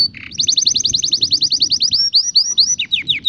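A canary sings a fast, high trill of about a dozen sweeping notes per second, then slows into separate downslurred whistles, over a faint low hum.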